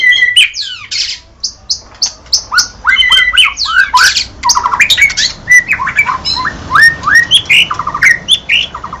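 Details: Caged White-rumped shama delivering a long, varied sequence of short sweeping whistles and buzzy notes in rapid succession, with a low hum in the room.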